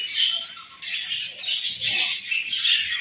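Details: Budgerigars chattering at morning feeding time, a steady stream of harsh, buzzy chirps and warbles from several birds with no pause.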